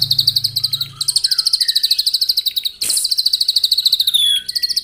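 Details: White-rumped shama in morning 'pancingan' song meant to anger rivals and draw out their song: continuous rapid high trill, a brief harsh burst, then the fast trill resumes, with a few lower whistled notes.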